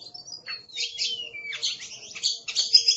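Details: Aggressive Oriental magpie-robin, a caged songbird kept for singing contests, gives a busy song of high whistled notes, a long descending slurred whistle and rapid buzzy chattering bursts, with a steady faint low hum underneath.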